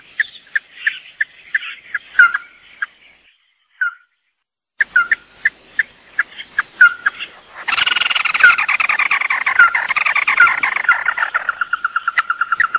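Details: A male and female red-eyed crake, locally tikusan mata merah, recorded as a bird-catching lure: spaced sharp notes, a brief silent gap, then an intense harsh chattering burst that settles into rapid regular ticking notes, over a faint constant whine.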